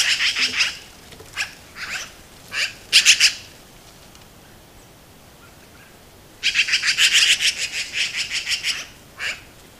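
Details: Black-billed magpies in Montana give harsh, rattling chatter calls in quick bursts while defending a carcass against a red fox.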